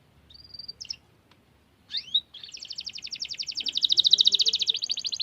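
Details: Caged canary in full chatty song delivering a long roll: a thin whistle and upswept chirps, then an extended, rapid buzzy trill of repeated high notes that grows louder and continues to the end.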